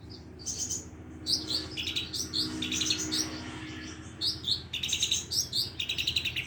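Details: Long-tailed shrike of the Madura type, its song packed with copied sparrow and lovebird phrases, kept as a master recording for training and luring other shrikes; high chattering bursts and quick buzzy trills come in clusters between short pauses.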